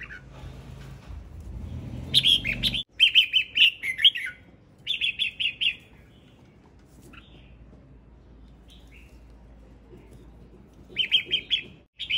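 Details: Male red-whiskered bulbul singing: short bursts of bright, warbling whistled notes in quick clusters near 12 seconds, separated by long pauses, with a low rumbling thud in the first three seconds.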